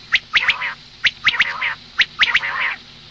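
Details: Female common quail calling, meant for the morning: three groups of sharp clicks, each followed by a short nasal, harsh burst, roughly one group per second, with quiet gaps between them.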